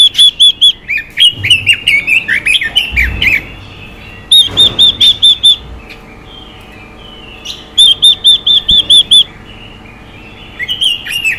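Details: Chinese hwamei female giving rousing calls meant to stir a male: several runs of five to seven ringing whistled notes, some runs sliding downward, with quiet pauses between them.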